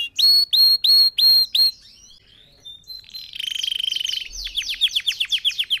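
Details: Red factor canary, singing as a model for other birds, gives five loud separate whistled notes, a quiet pause, then a buzzy trill and a run of quick descending sweeps.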